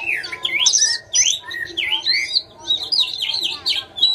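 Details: Chinese hwamei song of rich, varied whistles: swooping slurred notes and quick rising-falling phrases, loud and bright, with brief gaps between bursts of the song.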